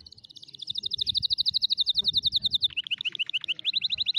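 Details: Canary singing as a model for teaching young canaries to sing: a fast, even trill of bright high notes repeated about twice a second, then a lower, sharper run of rapid downward-slurred notes, with faint low rumble beneath.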